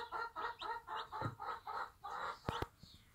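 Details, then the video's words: A Bantam hen beside her one-day-old chicks in a backyard farm: a steady run of soft, throaty clucks, about four per second, then two sharp knocks near the end. "Bantam Mom with her cute one day old chicks"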